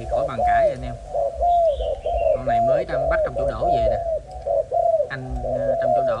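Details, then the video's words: Young male spotted dove of a Malaysian line, one of a pair of males: low, hollow coos in short bursts, roughly one per second, with a man talking over the cooing throughout. "Cu gáy Malaysia"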